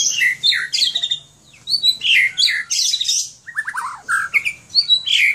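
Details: White-rumped shama from Aceh, kept by its owner, pouring out a loud, fast, varied song of slurred whistles, downward sweeps and buzzy notes with barely any pause.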